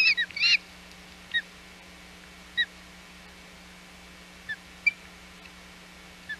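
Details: Osprey on the Hog Island nest, 21 June 2020, around a fish delivery to its chick: a burst of loud, rising, whistled calls, then scattered short downslurred peeps spaced a second or more apart against a steady low hum.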